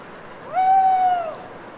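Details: Lone owl calling deep in the night in woodland of the Cévennes foothills at Les Assions, France, after long autumn rain; a single steady mid-pitched hoot, slightly arched and fading at the end, over quiet dripping.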